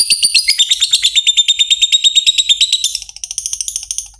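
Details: Lovebird in a 'ngetik' into 'ngekek panjang' style, used as a master call to prompt other lovebirds into long trills: rapid, evenly pulsed high chattering notes, one strand holding a steady pitch, fading slightly near the end.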